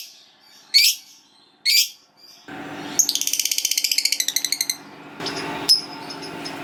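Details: Lovebird fighter, a caged bird, giving ngekek panjang: two short harsh squawks, then a long fast chattering trill of rapid repeated high notes, ending in a burst of scratchy calls.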